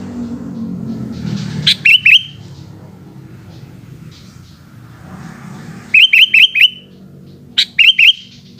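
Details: Sooty-headed bulbul singing in the afternoon, three groups of rapid, bouncy whistled notes separated by pauses, over low rumbling background noise.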